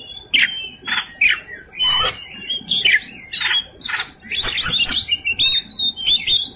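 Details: White-rumped shama delivering fighting song: loud harsh rasps and ringing whistles in quick succession, rich varied warbles with dense buzzy bursts near the end.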